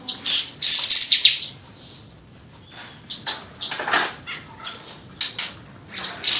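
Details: Kapas tembak bird in lively full song: loud, high, sharp chirped bursts and twittering phrases, starting strong, then a softer stretch of scattered squeaky notes before another loud burst.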